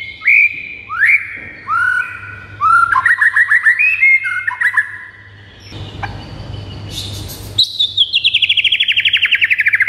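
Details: White-rumped shama song to rouse pet birds: upward-sweeping whistles, then stuttering trilled runs, a brief noisy burst, and a long, fast trill that drops gradually in pitch.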